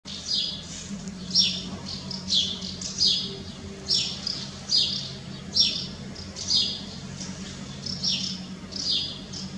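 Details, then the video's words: Common house martins give dry, scratchy twittering chirps, high and buzzy, in a loose stream of bursts about every half second over a faint background hum. "Common House Martin , Balestruccio"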